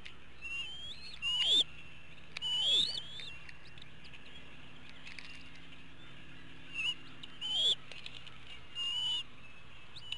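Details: At a Hanover, Pennsylvania eagle nest on an April 2017 evening, eaglets waiting for dinner utter repeated high, rising whistled squeals in short bursts with falling undertones, pauses between them, over a low steady hum.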